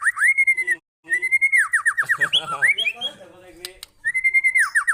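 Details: Lure song of a White-rumped shama with sharp fill notes and tight rhythm: short rising whistles run into quick descending rolled notes, a brief jumbled warbling passage, then the rising whistle and rolling notes return.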